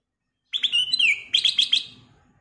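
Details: Black-crested bulbul singing loudly and clearly: a bright whistled phrase opening with quick notes and a downward slur, followed by a fast burst of four or five ringing repeated notes, no other sounds.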